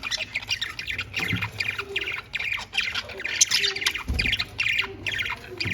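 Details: Budgies playing together in a cage chatter constantly, with quick high chirps and scratchy warbles in short bursts, plus a few soft low knocks from movement in the cage.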